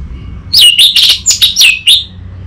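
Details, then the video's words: Orange-headed thrush from Singaraja, North Bali, singing a lure phrase for training a young bird. A quick, rich string of slurred whistles and twittering notes, about six syllables in under two seconds, clear over a quiet background. "Pancingan dan Masteran Burung ANIS MERAH Bahan"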